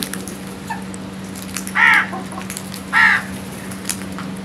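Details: Crow calling in the morning: two harsh, hoarse caws about a second apart, each lasting roughly a quarter second, over a steady low hum and faint clicks.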